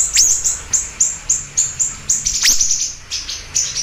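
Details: Siri-siri bird singing energetically: a run of short, very high sharp chirps, one about every third of a second, with a few downward-sweeping notes mixed in.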